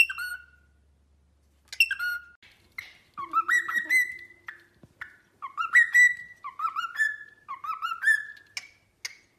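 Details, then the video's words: Cockatiel kept as a pet singing a warbling run of whistled phrases that rise and slide upward, after a couple of scratchy opening calls. "cockatiel bird singing and talking"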